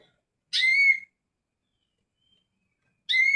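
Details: Greater green leafbird giving two clear whistled phrases, each opening with a harsh chirp and sliding into a sustained, slightly rising whistle, separated by about two seconds of silence.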